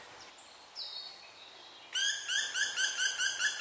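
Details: A juvenile black woodpecker, still hesitating to leave after its siblings flew and its mother stopped feeding it, cries for food with a quick run of about eight rasping, evenly spaced notes after faint, high, thin whistles.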